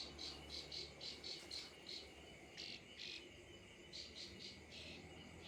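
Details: Plain prinia singing in quick bursts of short, high, buzzy notes, separated by brief pauses. A steady low hum runs underneath throughout.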